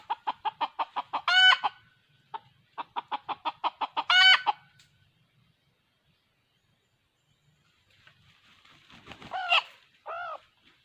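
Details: Decoy red junglefowl used in trapping wild birds, 2020. A run of rapid, evenly spaced clucks speeds up into a short, harsh crow. The sequence repeats, and after a quiet stretch and some rustling a further crow-like burst follows.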